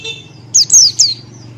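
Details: Three sharp, very high whistled notes from a Buxtoni white-eye in ngalas style, each dropping quickly in pitch, the middle one longest, over a steady low hum.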